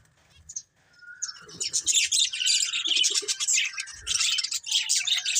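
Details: Budgerigars chattering together, described as happy: after a quiet start, a continuous stream of high, buzzy, scratchy chirps and warbles swells up and keeps going, with a few short nasal notes underneath.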